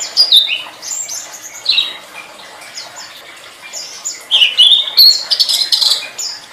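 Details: High-pitched chattering song of a flowerpecker, made as a master recording for teaching caged songbirds: scattered downslurred squeaky notes, then a dense burst of sharp, rising and falling high chirps toward the end.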